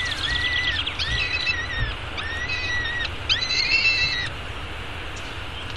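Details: A peregrine falcon nestling (eyas), male, at a downtown Arizona nest gives four drawn-out, harsh, slightly arched wailing begging cries while being fed breakfast at 9:28 am on 24 May 2016, against a steady low city rumble.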